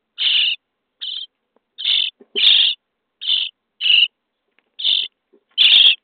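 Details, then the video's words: Nestling common starlings inside a nest box on day 23 while being fed, giving spaced harsh, wheezy begging rasps, eight short bursts roughly every three-quarters of a second, some louder than others. "Szpaki w budce dzień 23 - karmienie piskląt"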